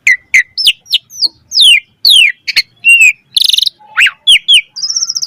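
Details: Asian pied starling in vigorous, highly varied song, a lure and tutor recording for other starlings: sharp downslurred whistles, ringing chips, a buzzy rattled burst, then a steady high trilled whistle at the end.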